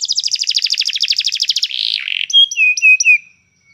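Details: Canary song used for training another canary to sing: a fast, high rolling trill that slides into a buzzy tone, then several loud clear whistled notes that drop in pitch.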